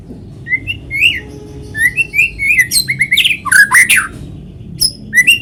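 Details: White-rumped shama song used as a lure to set other shamas singing: varied clear whistled phrases, rising and falling slurs, building to loud, dense bursts of sharp notes, indoors with a faint low hum.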